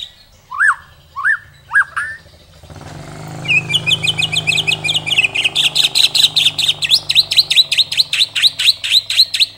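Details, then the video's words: White-rumped shama (murai batu) masteran recording from Indonesia: three separate looping whistles, then a long fast burst of high chopped notes that grows into a steady rapid series, with a low background hum throughout. "Masteran Murai isian mewah tembakan panjang panjang super pedas | shama bird song"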